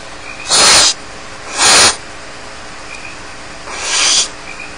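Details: Begging barn owl nestlings, alone at the nest at Starr Ranch, make three raspy hissing bursts, the last one softer, with faint high chirps in the pauses.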